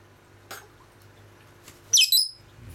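A lovebird gives two quick, shrill, scratchy squawks close together, over a faint low hum and a soft click.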